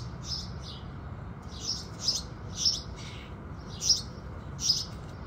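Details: Morning chirping of house sparrows at sunrise: sharp high cheeps in loose clusters, a pause near the start, then regular single chirps about every second against a constant low background noise.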